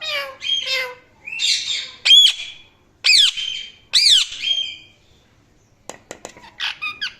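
A rose-ringed parakeet gives a run of harsh, high squawks and arching chirps, roughly one a second, then closes with quick, clipped ticks and short shrill notes.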